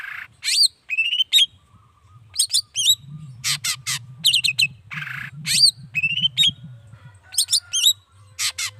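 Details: Lively long-tailed shrike song, used to prompt other shrikes to sing back; rapid varied medley of sharp chips, whistled notes, upward-hooked chirps and harsh bursts, with a low hum underneath.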